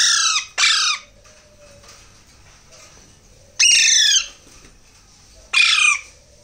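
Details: Young Alexandrine parakeets during hand-feeding: a double burst of harsh, grating squawks, a pause of nearly three seconds, then two more single rasping cries spaced about two seconds apart.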